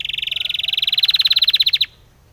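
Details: Spanish timbrado canary song used for training canaries: a loud, fast trill of bright chipping notes that holds its pace for almost two seconds, then breaks off abruptly into quiet.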